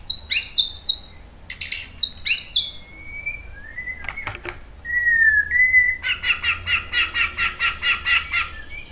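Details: White-rumped shama lure song to coax other birds into answering, heard at moderate distance: sharp falling whistles, drawn-out slurred notes, then a rapid rhythmic series of about a dozen repeated notes.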